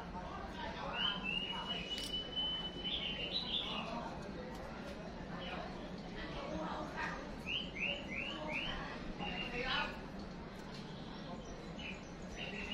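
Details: White-rumped shama, with a female lure used to fire up a male for fighting: a drawn-out high whistle, later a quick run of four rising slurred notes and scattered chirps, against steady noise and some talking.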